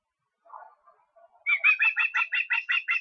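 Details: Osprey in Estonia on 23 August: a few soft, low notes, then a sharp series of about nine loud, whistled chirps repeated evenly and quickly.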